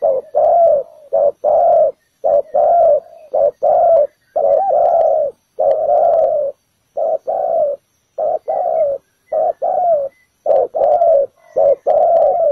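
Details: Decoy spotted dove on the ground beside a trap, luring wild birds with a long, rapid run of loud coos in short-long pairs, nearly continuous for the whole stretch.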